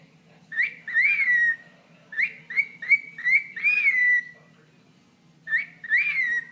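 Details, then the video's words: Pet bird chattering to its owner's toe with clusters of swooping, slightly buzzy chirps, each falling in pitch, grouped in two long runs and a short closing pair. "Bird Talking to Toe"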